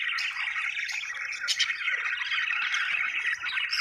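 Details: Happy budgerigars chirping: a dense, continuous warble of overlapping chirps and squeaky notes from several birds, steady and busy throughout.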